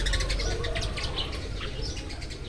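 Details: Several Eurasian tree sparrows chirping as morning arrives: a dense run of short, sharp, high chirps overlapping one another, over a steady low rumble of background noise.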